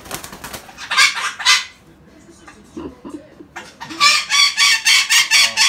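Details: Captive female Timneh African grey parrot playing indoors while out of sorts, giving bursts of rasping, noisy screeches, a short quiet gap, then a fast, even series of about nine harsh squawks.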